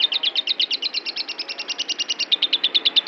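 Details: Worked-up lovebird repeating clipped, high chirps at a quick, fairly even pace of about three each second, with no pause between notes.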